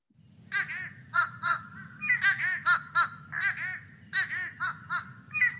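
Fish crow giving short, nasal, higher-pitched caws, often doubled, in a quick series about three per second over a low, steady hum.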